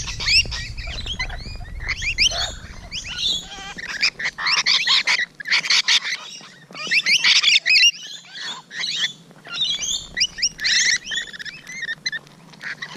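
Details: Rainbow Lorikeets, morning of 12 June 2017, recorded close: long stretches of loud, harsh screeching chatter from many birds, with high whistled squeaks and short gaps between bursts.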